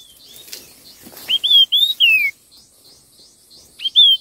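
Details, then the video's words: Intense, rapid duel song of a red-tailed minla: a four-note whistled phrase with a falling final note, then another phrase beginning about two and a half seconds later, after faint rustling. "Tiếng chim khướu lùn đuôi đỏ hót đấu kích nhanh căng lửa"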